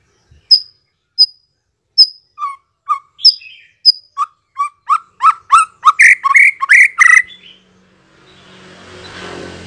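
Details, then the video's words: White-rumped shama lure aimed at making shamas answer: thin high whistles spaced about a second apart quicken into a dense run of rising harsh notes, then a soft hiss. "memikat MURAI BATU agar NYAUT dan NGEPLONG"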